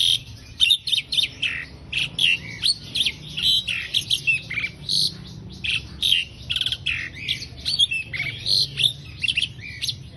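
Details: Asian pied starling song used as a tutor recording for training other songbirds: a dense, nearly unbroken run of bright chattering, squeaky and whistled notes in quick bursts, with short gaps and no other clear sounds.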